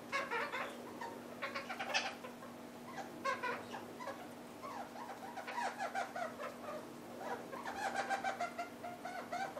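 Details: Red-crowned parakeet pair feeding on half-ripe willow seeds; bursts of harmonic, nasal chattering notes come in quick runs of several calls, separated by short pauses, over a steady low hum.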